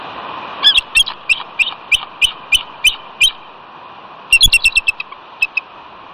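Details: Bald eagle pair calling at the West End nest on Catalina, California, on a chilly 21 February 2018, after the incubating male is startled by the female arriving silently. Two runs of high, staccato piping notes, about five per second, with a short gap between.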